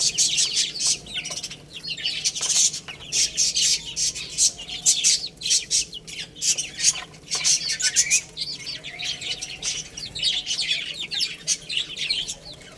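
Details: Baby chickens playing and feeding, with busy, high chirping smeared among loud clatter and scratching throughout.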